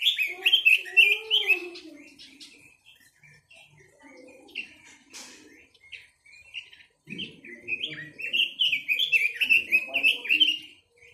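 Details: Chinese hwamei delivering loud, varied, whistled phrases in quick succession. A pause of softer notes follows, then a resumed burst of bright, rolling whistles.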